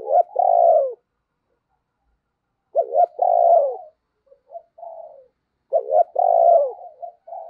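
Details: Decoy spotted dove kept to attract other doves, giving three cooing phrases. Each opens with two quick clipped notes, swells into a drawn-out descending coo, then ends in softer short coos. Phrases come roughly every three seconds, no other sounds.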